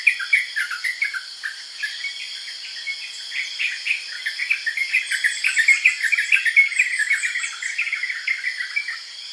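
Yellow-vented bulbuls give quick, bubbly chirps, several a second, over a steady high insect drone.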